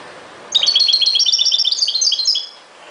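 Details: Singing European goldfinch, 2021: a sustained burst of quick, high, tinkling twitters lasting about two seconds, notes chattering in a lively run before stopping, with low background hiss.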